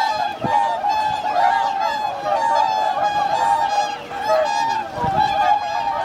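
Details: Swan flock wintering at Lake Hyoko, Niigata, Japan, 8 January 2022, 2628 birds counted; continuous nasal honks from many individuals, irregular bursts of louder calls over a dense chorus, plus a few low thumps.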